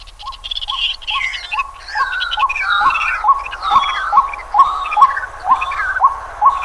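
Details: White-breasted waterhen (Amaurornis phoenicurus) in Pingtung County, Taiwan, on 23 May 2020 gives a steady run of short, mid-pitched upslurred notes, about two per second, over busy, varied songs of other birds.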